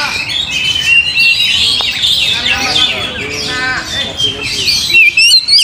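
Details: Oriental magpie-robin song played to stir other birds into singing: a busy stream of high whistles, buzzy trills and scratchy chatter, ending in bright, sharply rising notes.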